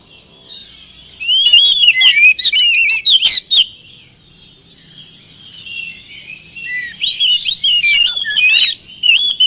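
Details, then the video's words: Oriental magpie-robin singing as a lure to get idle birds to answer. Two bursts of varied, rapid whistles, trills and harsh chips, rising and falling sharply, are separated by a quieter pause near the middle. "pancingan kacer malas bunyi mudah ikut nyaut gacor"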